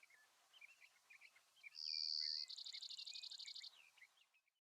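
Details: Male Brewer's Sparrow (Spizella breweri) close by on his territory in sagebrush near Silver City, Montana, on a July 2022 morning after sunrise: his two-buzz short song, a steady high buzz then a faster pulsed buzz, with other birds chirping softly.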